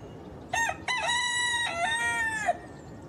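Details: Rooster crowing: a loud harmonic cock-a-doodle-doo lasting about two seconds, with short opening notes followed by a long sustained, slightly falling tone, over light background noise.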